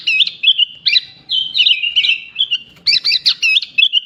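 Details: Sooty-headed bulbul in continuous song laced with imitations of bar-winged prinia, leafbird and pied myna; rapid chattering bursts alternate with sliding whistles, ending in a fast series of sharp, bright notes.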